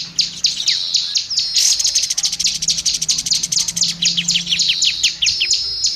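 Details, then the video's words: Oriental magpie-robin song used for training other songbirds: dense, continuous high chattering with rapid repeated downslurred whistles and buzzy trills, loud and unbroken throughout, over a faint low hum. "MASTERAN BURUNG KACER"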